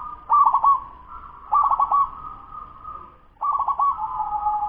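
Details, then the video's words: Ten-month-old local zebra dove in fast song: three phrases, each a loud stuttering run of clipped coos trailing into a long even hum-like note, the last one stretched out. "Suara perkutut lokal cepat usia 10 BULAN"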